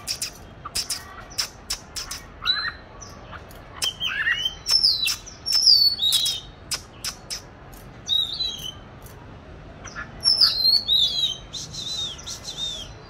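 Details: Caged oriental magpie-robin kept since July 2020, hung in a good spot for song training, recorded 22 March 2021: scattered whistled and chattering phrases mixed with sharp clicks and broadband ticks, several high swooping notes.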